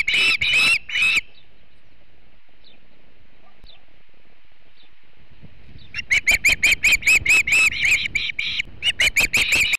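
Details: Osprey female at the Charlo, Montana nest driving off a non-osprey intruder on 3 August 2016: brief loud whistled chirps, a quiet gap with faint notes, then fast, insistent runs of piercing cheeps.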